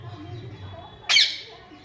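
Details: A pet parrot gives a single short, harsh, loud squawk that bursts out suddenly and fades quickly, over a faint low hum in the background.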